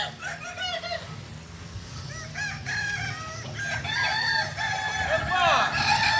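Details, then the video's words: Kukuak balenggek roosters, native to Solok in West Sumatra, crow during a practice session: many overlapping multi-note crows and clucks form a dense chorus over low background noise. "Latberan ayam kukuak balenggek.. ayam asli solok sumatera barat"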